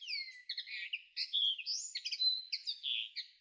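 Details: Linnet in May 2013 giving a lively twitter of nasal, slurred notes. Rapid chirps alternate with short upward and downward whistles in quick bursts, against a clean background.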